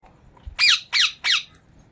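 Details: Rose-ringed parakeet giving three loud, harsh squawks in quick succession, each a raspy, slightly descending burst about a third of a second apart, over a quiet background.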